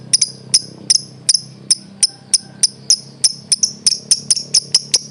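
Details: Lovebird song meant to train other birds: sharp, very high chips repeated steadily, several each second, over a low background hum.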